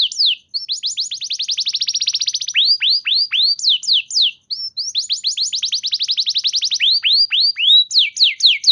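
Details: Canary singing to provoke other canaries into song: rapid trills of clear high notes, then slower downward-slurred whistles, a short pause, and the trills and swoops repeat.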